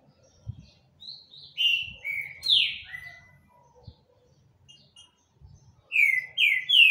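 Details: Green-winged saltator singing heavily: a cascade of clear descending whistled notes with a few soft taps between, a quiet gap, then three powerful falling whistles delivered close together.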